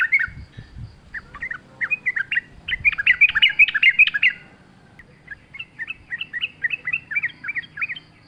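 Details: Sooty-headed bulbul singing busily in wild forest style, a lure to make caged birds sing: dense bubbling chattering phrases, a brief pause, then a brisk series of evenly paced bright slurred notes.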